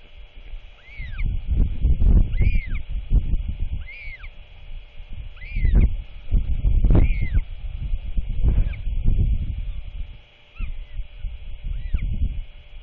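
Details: Royal albatross chick chattering as its father feeds it at dusk, 27 March 2024: arched, whistled squeals repeated every second or two, some doubled, over heavy low wind rumble.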